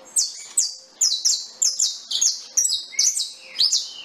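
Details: Saffron finch pouring out a rapid, evenly spaced string of loud, high chirps, each sliding steeply downward, with the last notes dropping lower and longer.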